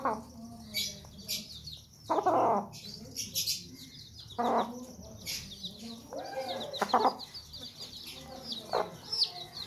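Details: Sussex hen guarding her chicks makes loud rasping, angry bursts, the longest about half a second, over steady high-pitched cheeping of the young birds.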